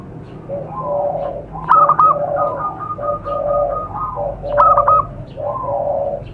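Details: Zebra dove lure sound for wild doves. Two bursts of high, rolling trilled coos, about three seconds apart, overlap lower, mellow cooing phrases from other doves calling throughout.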